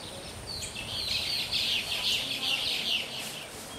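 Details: At Lancetilla Botanic Garden, Tela, Honduras, near the Caribbean Sea, a Passerini's tanager gives a run of high, thin chips, several each second, over a steady background hiss.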